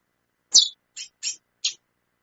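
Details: Female chestnut-bellied seed finch calling persistently: four short, harsh, noisy notes spaced about a third of a second apart, with nothing else heard in between.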